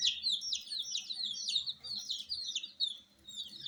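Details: Baby domestic chickens, colour chicks reared indoors with heat, chirp in a dense, rapid chorus of high piercing peeps, each dropping in pitch, with faint low background murmur.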